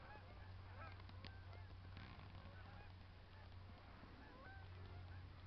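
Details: Snow geese in Michigan calling as a distant flock: a dense, continuous chatter of short, overlapping nasal honks throughout, set against a constant low hum.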